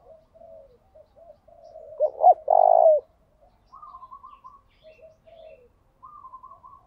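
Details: Spotted dove calling to lure and provoke rivals into singing: one loud phrase of two short notes and a long, steady low coo, surrounded by softer distant coos and higher, chattering phrases.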